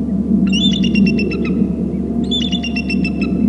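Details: Bald eagles at a nest territory on Hornby Island, two birds flying in from the right and landing on a babysitting tree near the nest while calling: two bursts of high, stuttering, piping notes over a steady low hum.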